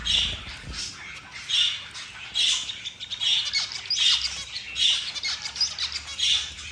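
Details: Zebra finch in the morning, possibly related to mating, giving short, nasal, buzzy notes repeated roughly every second in a brisk, uneven rhythm.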